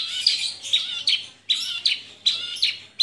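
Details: Caged Javan bush lark, mottled type, in vigorous song: quick clusters of harsh, bright chirps and thin whistles, about two phrases each second.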